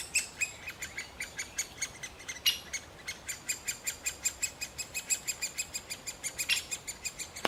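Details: A male great spotted woodpecker feeding a chick and calling: a steady run of sharp, high ticking notes, about four or five each second, with only a faint outdoor hush behind.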